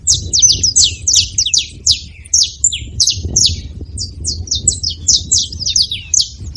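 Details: Saffron finch calling at a feeding spot, giving dense bursts of bright, high, slurred chirps in quick succession, some notes clipped and squeaky, with a faint low hum underneath throughout.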